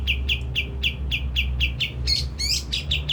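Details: Kapas tembak song played as a lure to stir birds to sing: brisk evenly spaced chirps, about three per second, ending in a few richer, more complex notes.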